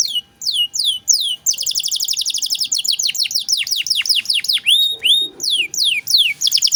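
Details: Canary master song in cengkok mewah style, meant for training songbirds such as magpie-robins: downslurred notes lead into a long, dense rapid trill, then slurred sweeps and clear whistles.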